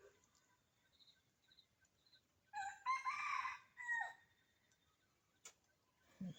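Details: Faint high chirps lead into a loud, ringing crow from a wild red junglefowl in forest by a house, early on a cold, dark winter morning, with two or three birds answering one another; a brief click follows.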